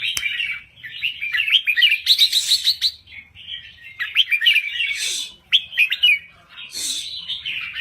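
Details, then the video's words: Crested bulbul from Thailand singing: bubbling, warbled phrases with fast chattering notes, broken by short pauses, a few sharper bursts. "Kicau Burung Merbah Jambul Gacor"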